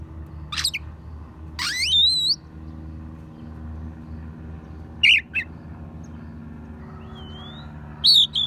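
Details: Oriental magpie-robin, its song stuffed with sparrow and prinia imitations for tutoring songbirds: upward-sweeping chirps and a twisting whistled note early on, later sparse sharp notes and a thin rising whistle, with a faint low background hum.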